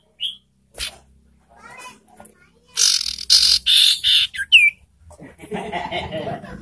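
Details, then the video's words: Ashy tailorbird call used as a provoking lure for birds in breeding condition: a brief clear note, then a run of loud raspy buzzes ending in a sharp downslurred note, and soft chatter. "Memancing emosi dan Merangsang birahi burung sirtu"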